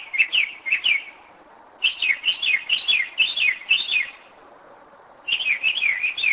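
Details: Northern mockingbird singing in darkness at 2am, Kennesaw, Georgia, 2011, a bird back at the same place for several years; looping, rising-and-falling whistled notes strung in fast series, three phrases separated by pauses.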